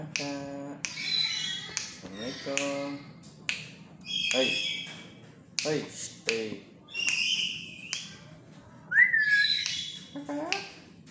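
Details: Fully tame black-capped lory, chatty and talking, indoors in a small room: short speech-like bursts with harmonic tones mixed with harsh high screechy notes and sharp clicks, in irregular bursts with brief pauses between them.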